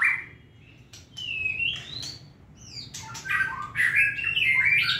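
A white-rumped shama sings a varied run of clear whistles, sliding slurs and rich warbled phrases, building to a fuller, faster stretch toward the end.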